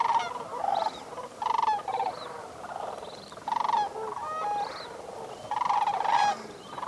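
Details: Sandhill cranes close to shore at sunrise on a freezing December morning, about 19 degrees F, at Bosque del Apache National Wildlife Refuge, New Mexico: many overlapping rolling, bugling trumpet calls in repeated bursts from a calling flock.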